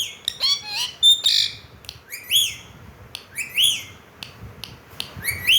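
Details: A talking pet ringneck (rose-ringed parakeet) chatters in bursts of arched, harmonic, speech-like notes roughly every second, with a few shrill whistles and squawks between them.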